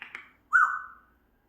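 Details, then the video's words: Pet African grey parrot indoors giving a short falling whistle, slurred and fading, after a faint brief note. "African grey，Grape makes sound."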